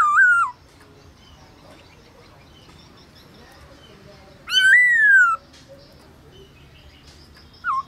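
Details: Black-throated laughingthrush kept in a cage, singing at midday during song training in the forest-voice style: long, wavering whistled phrases rising and falling, separated by pauses of several seconds.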